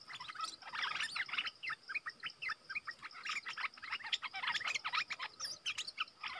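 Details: Stripe-throated bulbul kept as a decoy bird for trapping, recorded August 2021; lively, dense chattering of quick chirpy notes, many short phrases tumbling over each other, with a steady high hum behind.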